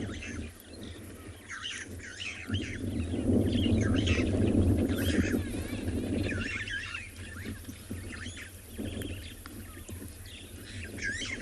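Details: Starlings at Chitwa Dam, Tswalu Kalahari Reserve, South Africa, on a 10 September sunset drive, chatter in a busy stream of short whistles and chirps, several birds overlapping, over a steady rumble of rising wind; pigeons also present.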